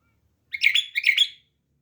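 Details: Caged bulbul kept as a pet delivering one brisk phrase of two quick bubbling note clusters, mid-high and slightly buzzy, lasting under a second against silence.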